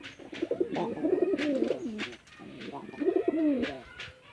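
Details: Pigeons fighting on a Bangladeshi village farm in Chittagong District give low coos that waver and undulate, in two long phrases, over scattered clicking noises.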